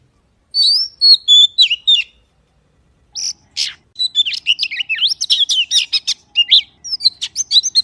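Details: Magpie opens with a short whistled phrase, pauses, then launches into a long, rapid series of sharp, varied whistles and chips.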